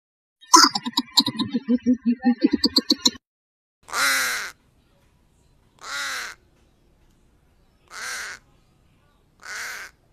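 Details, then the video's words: Black crow gives four harsh, hoarse caws, one roughly every two seconds, after an opening burst of rapid, lower stuttering chatter; a coucal is also recorded nearby. "Tunog ng dalawang ibon / Coucal bird & Black crow"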